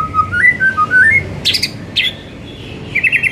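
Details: White-rumped shama singing an afternoon lure song meant to get shamas singing more: whistled notes that step up in pitch, then sharp, harsh chip notes, ending in a fast trilled flourish, over a low background hum.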